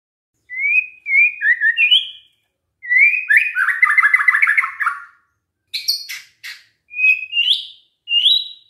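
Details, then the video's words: Singing white-rumped shama used as a lure for other shamas to answer. Short whistled phrases alternate with a long rolling warble, a few sharp high clicks, and then more rising whistles separated by short gaps. "pancingan murai batu GAK PAKE LAMA, murai langsung nyaut saat dengar ini"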